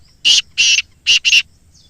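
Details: Black francolin, recorded for playback to captive francolins: four loud, coarse, buzzy notes, a separated pair then a quick close pair, all within about one second, with near silence around them.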